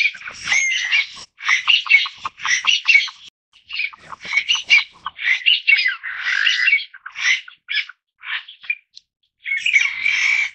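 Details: Taiwan bamboo partridge, a bird found only in Taiwan's mid- and low-elevation forests: loud, harsh, scratchy bursts of call notes, repeated about once a second in short clustered phrases with brief pauses between them.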